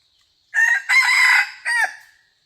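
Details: Red junglefowl kept as a decoy while trapping wild junglefowl crows once, loud and clear: a short opening note, a long strained middle, then a brief falling final syllable, with no other sounds.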